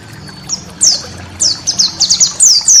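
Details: Master recording of a white-eye for tutoring caged birds: after a near-silent start, scattered high downslurred chips build into a quick run of sharp twittering notes over faint low hum.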